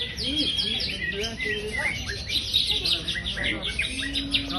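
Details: Greater green leafbird kept by Indonesian songbird fans, a champion bird singing with high intensity: rapid, repeated high chirps and twittering phrases over a steady background, with a held low whistle near the end.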